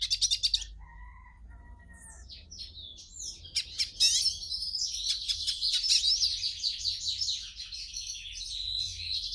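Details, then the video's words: Hooded siskin song, played to warm up a captive bird and open its singing: a few sharp chips and faint lower tonal notes, then a fast, high twittering warble of rapid trills and chatter with no pauses. "CANTO do PINTASSILGO para ESQUENTAR"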